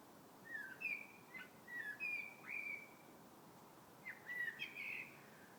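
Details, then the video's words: February birdsong of clear whistled notes, several sliding upward or downward, given in two loose groups with a pause between, over soft background hiss. "Vogel singt."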